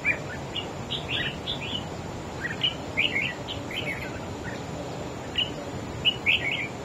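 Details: Red-whiskered bulbul, a wild-caught bird, in a singing duel with another bird: bursts of quick, jumbled whistled notes come in clusters every second or so, bright and lilting, against a constant hissing background.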